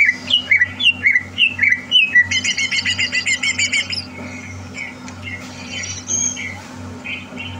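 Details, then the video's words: Competition-prepared caged greater green leafbird, 30 November 2022: rising whistled phrases followed by a fast, even series of buzzy repeated notes, then softer scattered chirps, over a low continuous hum. "Suara Burung CUCAK Hijau"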